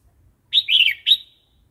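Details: Red-whiskered bulbul giving one wild-style song phrase, for training young and wild-caught birds: three slurred, liquid notes, the middle one longest and warbling.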